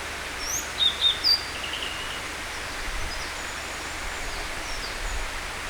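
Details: Blue-and-white flycatcher singing: three bright, high whistled notes in quick succession near the start, followed by quiet. Faint distant chirps and a steady hiss of background noise run throughout.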